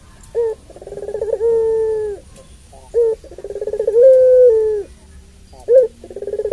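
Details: Puter pelung dove's long voice, meant to raise the excitement of other doves. Short sharp notes alternate with pulsing, held coos about a second long, in a loose repeating pattern.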